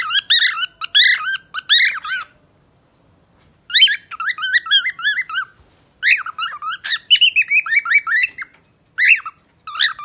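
A parrot sings in bursts of rapid, warbling whistled notes, sliding up and down in quick runs separated by brief pauses, with no other sounds.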